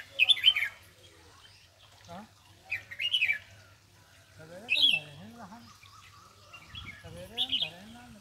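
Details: A bulbul just after bathing, at Palia Khurd, gives four short bursts of bright chattering notes a couple of seconds apart, while a low human voice murmurs in the background.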